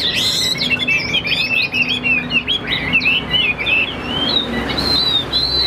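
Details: Steady-voiced caged Tam Hoàng hwamei giving an unbroken run of fluid, looping whistles that ripple up and down, ending on a few longer high notes, with a soft hum underneath.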